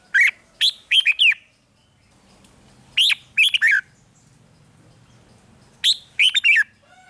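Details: Caged-bird excitement recording of a red-whiskered bulbul: clear warbling phrases of three to five rapid whistled notes, separated by pauses of over a second, with a faint low hum between phrases.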